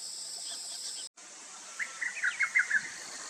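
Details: Lesser cuckoo, a summer migrant singing while hidden among tree branches: a quick staccato run of about six sharp whistled notes that rise and fall, delivered in under a second, over a steady high hiss of insects.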